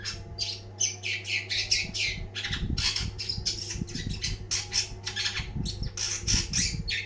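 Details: Long-tailed shrike (cendet), a first-place champion bird, singing in full, lively voice. Dense bursts of harsh, scratchy and chattering notes rush by almost without pause, with a steady low electrical hum underneath.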